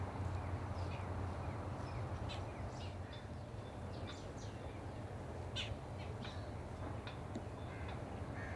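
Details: Jungle babblers (Turdoides striata), a small group in a Prosopis juliflora tree, give short, harsh, squeaky notes in scattered bursts from several birds over a steady low background rumble.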